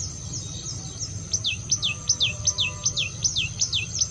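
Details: Lure song of a common tailorbird. After a second of faint thin notes, a rapid series of bright descending whistles repeats evenly, about ten in three seconds, over a low hum.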